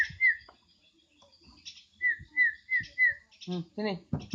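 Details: Javan myna giving clear falling whistles, a single one and then four evenly spaced in a row about every half second. These are followed by harsher, throaty speech-like notes.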